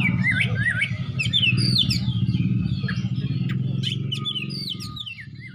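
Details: Oriental magpie-robin kept as a fighting bird, looking for an opponent, singing in the ngeplong style. It gives varied whistled phrases that rise and fall with sharp upslurs, over loud low music and chanted voices.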